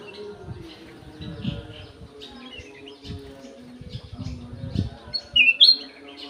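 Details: Golden-fronted leafbird kept in an aviary. Soft scattered chirps and a low steady hum give way near the end to a loud, clear whistled phrase that dips and then jumps upward.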